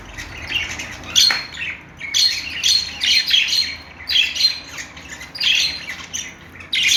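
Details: Budgerigar chirping in separate loud bursts of buzzy, twittering notes about once a second, with short quiet gaps between them.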